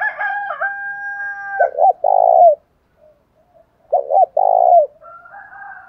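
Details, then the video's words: Male and female spotted doves, thổ đồng style lure for provoking fights: a steady higher tone opens, then two low phrases of paired short coos and a long rolling coo, with a quiet pause and faint warbling after. "chim cu gáy mồi giọng thổ đồng thúc đấu rút bổi"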